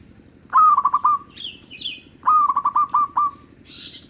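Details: A local zebra dove sings as a lure to attract other zebra doves. Two phrases of clipped, rolling coos open with an accented note and trail into quick even pulses. Thin higher chirping from another bird breaks in between the phrases.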